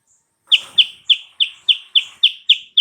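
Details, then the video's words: Sooty-headed bulbul lure used to make a rival answer at once: after a short silence, loud sharp notes repeated roughly every third of a second in an even, emphatic series. "PANCINGAN burung Kutilang Sutra , AMPUH buat Lawannya SONTAK NYAUT seketika"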